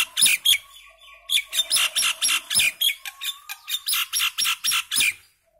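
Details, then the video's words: Indian common myna pouring out a steady run of harsh, chattering chirps, about four notes a second, scratchy and metallic, with a faint low hum behind. "Common myna bird song | Indian maina sound | mynah singing"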